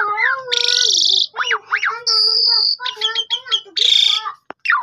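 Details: Captive Asian pied starling singing as a lure for other starlings, phone-recorded: wavering harmonic whistles, a harsh buzzy stretch, zigzag chirps, a thin held high note and rapid stuttered notes ending in a rasp.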